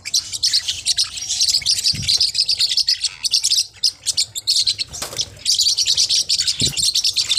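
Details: Forpus parrotlets, small hook-billed parrots, keep up a steady high-pitched chatter of tweets and squeaks, with a couple of soft low thuds and a brief quieter patch midway.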